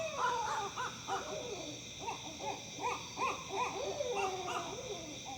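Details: Owls heard in Tennessee trade quick, bouncing hoots in an uneven chorus, with a few longer sliding wails mixed in. A constant high-pitched drone runs underneath.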